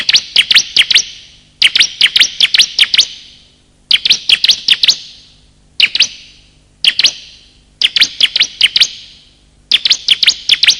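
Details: Bar-winged prinia male and female lure calls: short bursts of four to six rapid, high, piercing chirps, repeated roughly every two seconds with echoing tails between bursts.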